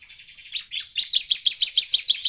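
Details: Bar-winged prinia in lively song, meant as a lure for other prinias: soft scratchy notes give way to a loud, evenly spaced run of sharp, high chips, about eight per second.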